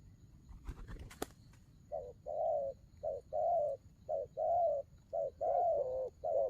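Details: Spotted dove giving a cooing style called đồng gù rước: after a few sharp knocks, low mellow coos begin, each a short note followed by a longer, steady hoot, repeated about once a second.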